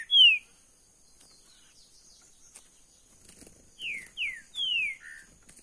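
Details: Green-winged saltator (trinca-ferro verdadeiro) in a cage sings loud, clear whistled notes that slide downward: one strong note at the start, then after a pause a rapid series of four descending whistles.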